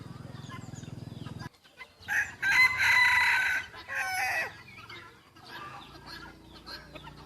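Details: Village-kept young white rooster, 1 June 2020, gives a strong raspy crow of about two and a half seconds with a harsh rising start, followed by quieter fading calls, after an engine-like hum cuts off.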